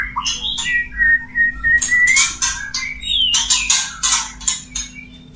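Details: Male white-rumped shama courting a female, giving clear sliding whistles mixed with short scratchy bursts and a few high sweeping notes, moderately loud and broken into uneven phrases.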